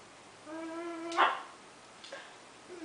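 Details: A pet macaw, which throws kisses with its foot, says a drawn-out, nasal "maah" that ends in a sudden loud, harsh squawk, followed a second later by a fainter, shorter squawk.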